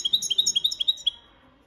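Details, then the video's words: European goldfinch performing the copia malaga song used for training songbirds: a quick run of about eleven bright, ringing twittered notes over roughly one second, evenly spaced, then the phrase stops and fades to near silence. "Jilguero Cantando la copia malaga _ Goldfinch bird singing the wonderful sounds for training songs"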